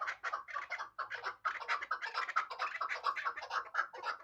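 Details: Rapid, rhythmic chukar partridge hybrid calling, coarse chattering chuk notes tumbling over one another in a dense repeated series, with light scratching in the background.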